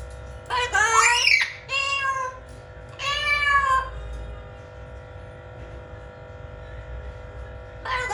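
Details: Blue-fronted amazon parrot, said to be talking funnily, utters three bursts of strained, harmonic, somewhat screechy vocal sounds within four seconds, then falls quiet apart from a steady background hum.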